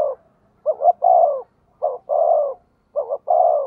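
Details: Decoy spotted dove calling briskly: three back-to-back phrases, each two quick hoots followed by a sustained, softly falling coo.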